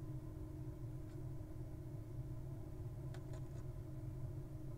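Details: Low idling engine rumble runs throughout, broken only by a few sharp clicks, with no animal calls.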